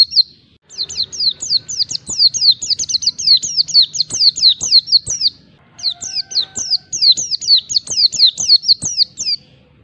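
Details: Agitated Oriental white-eye in wild-style 'ngalas' song, seeking a rival. A long, almost continuous torrent of rapid, high, down-slurred whistled notes runs about four per second, with one brief break midway.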